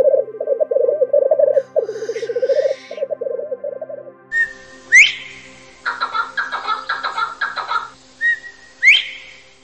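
Partridge calls: a run of fast, rattling, chuckling notes, then harsh grating bursts with sharp rising whistles.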